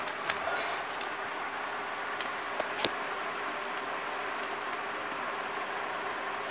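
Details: Broadband hiss with a few sharp clicks and taps, and no animal calls.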